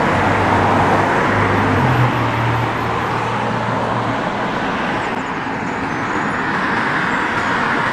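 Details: Loud road traffic roars steadily throughout, with a low engine hum in the first four seconds and no animal voice heard.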